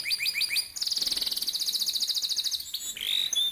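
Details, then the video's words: Canary in a training recording for young birds, giving a few spaced chirps, then a very rapid, even rolled trill lasting nearly two seconds, ending with sharp upward whistled notes. "Burung KENARI GACOR NGEROLL||PANCINGAN KENARI PAUD MUDA HUTAN CEPAT BUNYI NEMBAK"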